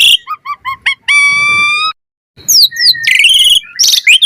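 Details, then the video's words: Asian pied starling song as a training lure: a run of short repeated chirps, then a long steady harmonic whistle, a brief pause, and a dense burst of swooping whistles and rasping notes. "Pancingan Jalak Suren Gacor Mompa Full Variasi - Masteran Suara Burung Jalak Cepat Gacor Full Isian"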